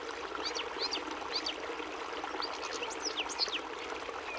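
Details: European goldfinch singing: quick, liquid twittering of bright high chirps and short slurred notes, delivered in rapid bursts over a faint steady hiss.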